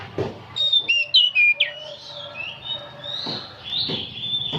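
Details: Oriental magpie-robin, an old bird singing on and on, delivers several bright, sharply slurred whistles, then thinner drawn-out whistles. Scattered dull knocks sound in the background.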